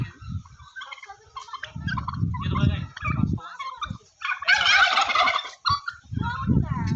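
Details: A very big farm turkey in Golaghat, Assam, lets out a loud, rapid, gurgling gobble lasting about a second near the middle, framed by softer clucking notes and low human voices.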